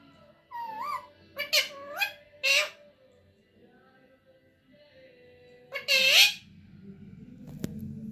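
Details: Young parrot, described as able to talk, gives several short, warbling, speech-like utterances that rise and fall, with a longer, louder burst near the end, then a low background hum.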